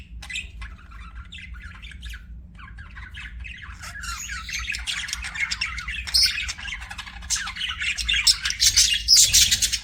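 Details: Budgie chatter that starts soft and sparse, then swells into louder, busier scratchy chirping and squawks toward the end, over a low hum.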